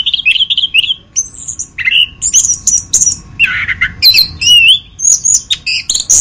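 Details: Anis kembang, or orange-headed thrush, singing in a masteran recording: wavering whistled phrases, a lower slurred squawk around the middle, then rising whistles and quick high chirps; faint steady hum.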